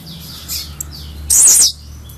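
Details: An albino blue-black grassquit sings one brief, intense buzzy phrase lasting under half a second, preceded by soft high chirps.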